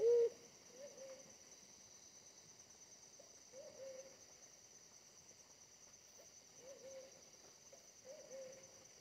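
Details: Small-bodied but very aggressive wild forest pigeon during pigeon luring gives soft, low, hollow coos, each brief and spaced a few seconds apart, over a steady high insect hum.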